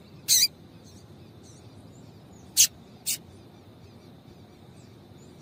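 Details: A female double-collared seedeater gives calls meant to excite a male into singing. Three brief, bright, high chirps come at irregular spacing, the last two close together, against faint steady hiss.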